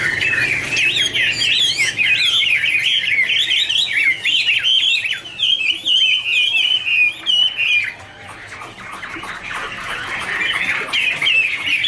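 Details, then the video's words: Chinese hwamei (Garrulax canorus) warbling rapid, jumbled whistled phrases for about eight seconds, then quieter, blurred twittering. "Birds Garrulax canorus singing: dancing, duet fin wings, wonderful warble songs"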